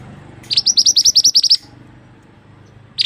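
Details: Mantenan bird singing, a recording meant as a tutor for other songbirds: one rapid run of about ten bright, high, clipped notes, then quiet, then a single fresh note at the end over a low rumble.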